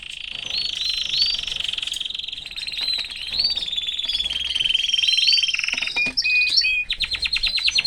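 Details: Caged canary with its family delivers a sustained, fast trill overlaid with upswept whistles, then sharp chips and a run of rapidly pulsed notes.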